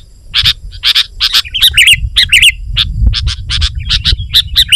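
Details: Sooty-headed bulbul song meant to attract wild bulbuls and answer rivals: chirpy notes lead into liquid, warbling whistled phrases that tumble up and down, repeated in lively groups.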